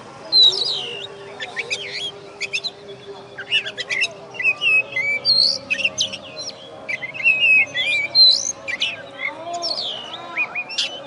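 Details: First-place contest oriental magpie-robin, a caged bird from West Kalimantan, heard after the judging. Its song is a jumble of bright rising and falling whistles and chattering notes in irregular phrases, over a faint low drone.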